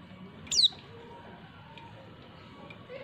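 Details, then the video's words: Female white-eye calling to make males reply: one brief, piercing, high note sliding steeply downward, followed by quiet background hiss. "pleci betina perangsang jantan"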